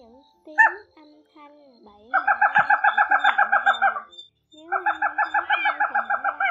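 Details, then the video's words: Brown-throated crake (gà nước họng nâu), male and female, a call played to lure birds into nets at night. A rapid train of nasal, harmonic notes, about three to four per second, comes in two long bursts after a few soft tones. "Tiếng Bẫy Gà Nước Họng Nâu , QUỐC HỌNG NÂU Bẫy Lưới Đêm 2024 , Gà nước họng nâu trống mái full"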